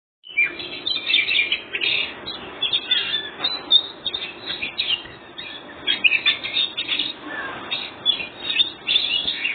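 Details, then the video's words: White-breasted Oriental magpie-robin, described as very vocal, singing in the ngobra style used to lure other birds into answering: a continuous, rich stream of loud whistles, sharp chirps and rapid trills in quick bursts, with no pauses. "Kacer full ngobra satu detik burung bahan langsung nyaut"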